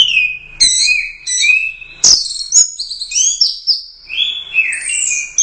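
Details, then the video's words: Royal Cup winning orange-headed thrush in gacor teler doyong style repeats a whistled phrase, then launches into a fast, varied sequence of high swooping notes with clicks. "Suara Burung Anis Merah | GACOR Teler Doyong"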